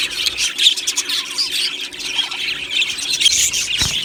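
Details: Flock of budgies in an aviary, the Australian parakeets producing continuous high chatter, with a few clear whistled chirps rising above the busy twittering mass.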